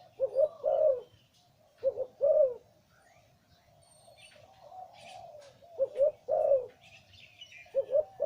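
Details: Repeated Liw Tan style phrases from a deep-voiced breeding male zebra dove: four clusters of low, bubbling, rolling coos spaced about two seconds apart, with faint chirps and quiet murmuring between.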